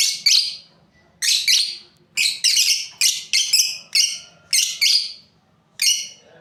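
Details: Lovebirds kept as a breeding pair, calling with harsh, high chirps in irregular groups of one to three, roughly one burst per second, over a faint low hum.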